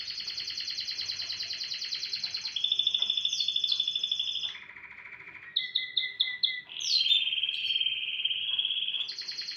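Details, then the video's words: Morning canary song made of long rolling tours, each a rapid pulsed trill held at one pitch before switching to a higher or lower trill, with a brief pause midway. "اجمل صوت للكناري"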